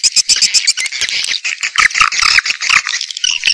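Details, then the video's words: Swiftlets calling in a lure track meant to attract them: crowded, overlapping twittering and chattering notes, rapid clicky pulses at first, then warbling high trills filling the whole stretch. "Âm thanh dụ Yến"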